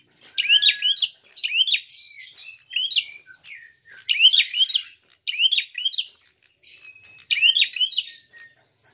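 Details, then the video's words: Prinia in fighting mode, recorded as a lure to provoke rival birds: high, squeaky chirp phrases, each a fast cluster of rising and falling notes, repeated about every second with short pauses between bursts. "Untuk PANCINGAN! Prenjak tarung gacor!!"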